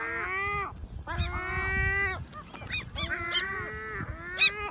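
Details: Great black-backed gulls complaining with long, level, nasal wailing notes, each about a second, interspersed with short sharp higher yelps, against a low rumbling background.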